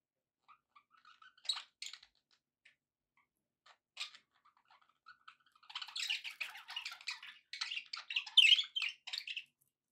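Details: Pet budgies in a happy mood: a few scattered chirps and squeaks at first, then from midway a busy run of quick, crackly warbling chatter that keeps going to the end.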